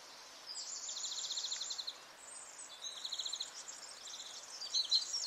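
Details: European greenfinch of the nominate subspecies at Quiberon, France, in April 2023: high, dry, buzzy trills in several bursts, with gaps between them.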